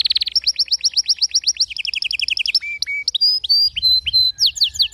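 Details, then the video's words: Song of a canary, played to tutor silent or weak-voiced canaries: a rapid buzzy burst, then fast rolling trills of repeated falling notes, changing pitch between phrases, followed by slower clear whistles and renewed trilling. "اذا عندك كناري لا يغرد أو ضعيف الصوت أتركه يستمع اهذا الغناء"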